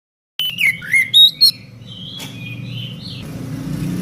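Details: Oriental magpie-robins answering each other in the morning: a few clear whistled notes, dipping and rising, then softer drawn-out whistles fading under steady low rumbling traffic-like noise.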